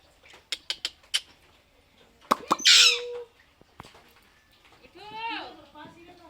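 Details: Pet Alexandrine parakeet having fun, giving crackling sounds: a few sharp dry clicks, then a harsh noisy rasping burst, and later a short harmonic squawk; people talking nearby in a home.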